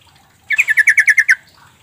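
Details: Yellow-vented bulbul calling, played to coax reluctant birds into answering: a quick even burst of nine sharp chattering notes, each bright with a slight downward slur, delivered in under a second against a quiet background.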